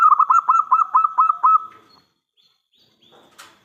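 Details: Lively local zebra dove singing as a lure for other doves to respond. One long phrase of about eight fast, even, throaty coo pulses lasts under two seconds, followed by near silence with a few faint clicks.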